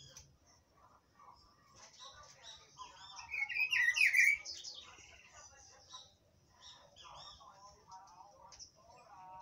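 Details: Rufous-browed peppershrike (Cyclarhis gujanensis), song.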